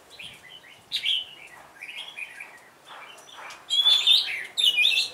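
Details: Red-whiskered bulbul used as a decoy, opening with softer chattering notes and then bursting into loud, bright whistled phrases toward the end.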